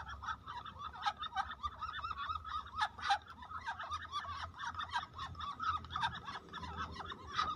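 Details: A group of farmed Muscovy ducks swimming during a flood, calling in busy, irregular bursts of short nasal notes from many birds at once, loud peaks every second or so, with a faint low background hum.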